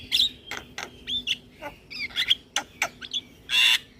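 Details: Javan myna, kept in a cage, singing energetically with head-bobbing: clicks, short whistled slurs and squawks in quick alternation, ending in a loud harsh rasping burst.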